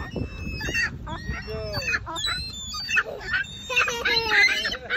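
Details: Herring gulls standing close together give choking calls, heads bowed toward the pavement and then necks stretched upward at 45 degrees: hoarse, honking notes in quick overlapping bursts over a rough wind-like rumble.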